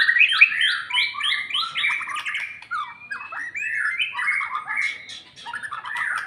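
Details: Shama song from a White-rumped shama recovering after moult and being trained to build fighting mood: rapid repeated chattering notes about three per second, mixed with slurred whistles and scratchy warbles, continuous and energetic.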